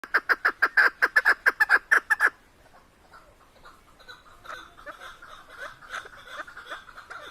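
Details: Chukar partridge in the mountains of Tajikistan calling: a rapid, regular series of hoarse clucking chuk notes, about five per second for two seconds, followed by quieter, softer background bird chatter.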